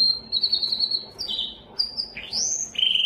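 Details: Yellow canary in song, short high trilled phrases broken by brief pauses, with a quick upward sweep and a buzzy ending trill.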